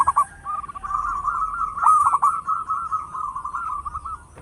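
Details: Zebra dove, local bird with a big voice used for luring others: one long, continuous rippling trill of cooing notes with a few sharp accents near the middle.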